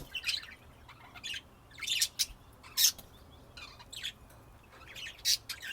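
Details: Budgies recorded in Texas, USA, in 2025: spaced bursts of harsh, high chirps and squeaks separated by short pauses, with the loudest calls near three and five seconds.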